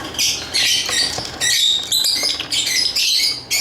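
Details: Lovebird chirps in short, sharp squeaky bursts separated by tiny breaks, each burst a quick cluster of shrill tweets.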